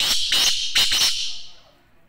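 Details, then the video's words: Harsh rasping call of a black francolin, tested for the speed of its calling: three or four rough bursts within about a second, then a trailing echo. "کالے تیتر کی سپیڈ چیک"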